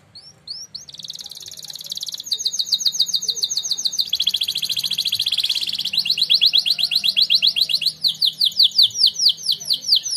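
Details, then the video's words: Contest-winning canary singing training song: long sustained rolling trills at high pitch, shifting between tours, from a dense fast buzzy roll to slower swooping repeated notes. "The Winner Canary Singing Contest | Named "NAPOLEON BONAPARTE" - canary training song"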